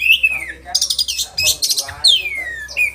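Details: Short burst of oriental magpie-robin "roll tembakan" song: long falling whistles framing harsh, rapid buzzy notes.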